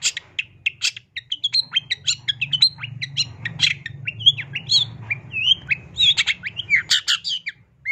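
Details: Gacor cendet (long-tailed shrike) delivering dense masteran isian: nonstop jumble of squawky chips, short whistles and harsh scratchy notes, mimic-like and varied, over a steady low rumble.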